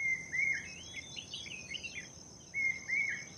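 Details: Cotton pygmy goose, recorded May 2020, giving high, thin whistled notes run together into quick chattering phrases, two bursts about two seconds apart, over a steady high insect whine.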